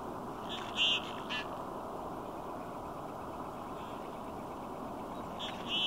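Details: A group of common goldeneye (Bucephala clangula) in courtship neck-thrust display giving short, buzzy, high nasal display calls, two close together and another a few seconds later, over steady rushing water or wind.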